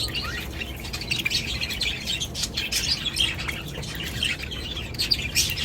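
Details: A crowd of budgerigars chattering together in a loud chorus, continuous overlapping chirps, warbles and short squawks with no pauses, steady low hum underneath.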